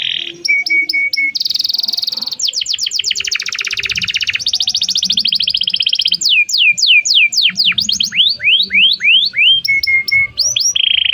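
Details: Domestic canary song used as a lure to teach a young canary to sing, long and energetic: rapid trills of repeated notes, buzzy rolls and sweeping downward whistles, with flat whistled tones at start and end, continuous throughout.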